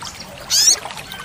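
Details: Olive-backed sunbird, song played for training caged birds: a single short, very high buzzy burst with a thin rising streak inside it, set against quiet hiss.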